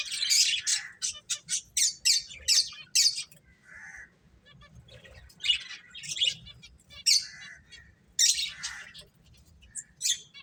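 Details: Finches chirping as they play: rapid clusters of sharp high chirps in repeated bursts, with pauses and a few lower nasal notes between.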